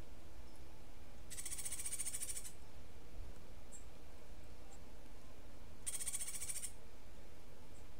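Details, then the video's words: Cuban grassquit singing a rare martillito-style song it picked up; two dry, buzzy, rapidly pulsed trills about a second long each, high-pitched and separated by a few seconds of low background hum. "Tomeguin de la tierra Cantando UNICO (Estilo Martillito)"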